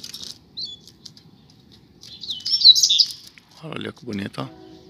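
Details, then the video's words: Street-side pair of Double-collared seedeaters: a brief high chirp, then a rapid, warbling and buzzy high phrase, followed by a lower broadband sound near the end. "Casal de Coleiro na Rua - Muita Fibra e Canto!!!"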